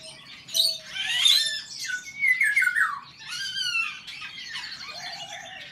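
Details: Male Eurasian golden orioles in a song duel: loud, fluted, whistled phrases that slide downward with a rich tone, amid a busy chorus of other birds with high chirps, trills and a low steady whistle.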